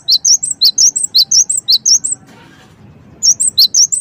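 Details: Lure song of the cinereous tit (gelatik wingko), played to make birds reply: rapid, piercing whistled triplets for two seconds, each a sharp dip then rising and falling slurs, a pause, then the same phrase again.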